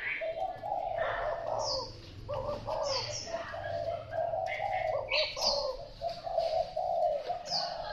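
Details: Spotted dove of the Thai type giving a long cooing sequence, low mellow notes run together with short breaks, and brief sharp high chirps from other birds break in now and then.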